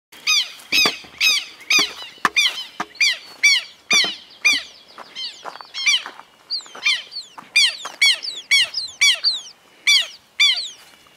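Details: Red-crested cardinal feeding in Esperanza, Santa Fe, Argentina, 2022, taking fruit, mulberry, privet, sunflower seeds and maize; a rapid series of sharp, bright, descending chip notes, mostly around twice per second, with a few longer downslurred notes.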